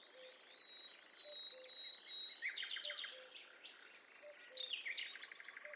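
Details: Birds singing in a forest: bright chirps and warbled phrases, a steady high whistled tone early on, then dense quick notes and trills repeating about twice a second, with a soft low pulsing tone beneath.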